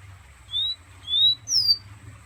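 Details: Three short clear whistles from a pet fire red held in the hand, Guyana; the last note pitched higher and falling, each about a quarter second long over a soft background hum.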